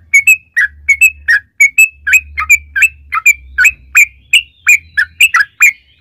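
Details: Yellow-vented bulbul song meant to draw other bulbuls into singing; a steady, lively stream of short whistled chirps and flicks, some paired, continuing for six seconds with a faint low hum in the background.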